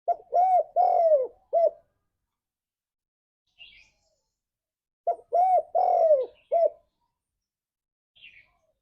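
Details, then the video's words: Spotted dove song as a lure for pet doves, 'ngalas' style: two matching phrases about five seconds apart, each of four or five hoarse coos with a longer falling middle note, and faint chirps from other birds between them. "Suara Burung Tekukur Ini Pancingan Tekukur Gacor Suara Ngalas"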